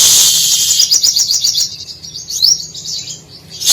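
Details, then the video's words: Brown-throated Sunbird (sogok ontong) singing busily, its song carrying copied canary, cililin, sparrow and lovebird phrases. Quick high, thin twittering notes about four per second, sliding and warbling, with hiss at the edges. "Sogon gacor isian kenari cililin gereja sambung love bird"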